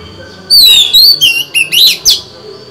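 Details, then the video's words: Female white-rumped shama singing to stimulate males: a long slurred whistle sliding down then up, followed by a few quick harsh chirps. "Chòe than mái hót, kích bổi mau căng lửa! Betina kicau kacer !"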